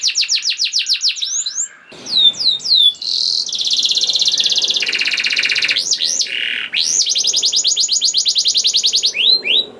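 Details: Canary song used as a lure to make other canaries sing: rapid repeated notes, rising slurs, long dense buzzy trills at two pitch levels, arched whistles, and another sustained trill near the end.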